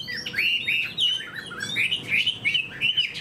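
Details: Chinese hwamei, a fan-tailed cage bird noted for fighting and eagle-like wing display, gives a string of fluid downslurred whistles, each about half a second long, in steady succession.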